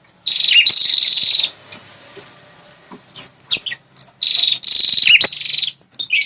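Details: Territorial red-headed prinia lure: two long, fast, buzzy trills at an even pitch, each dipping briefly, with sharp clicks and chips between them.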